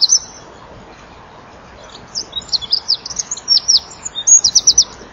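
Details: Winter dusk, 23 January 2014, 17:33: a Eurasian wren perched before a nest-wall camera flaps its wings as it sings, giving a short high note, then a long racing series of sharp, high-pitched trilled notes.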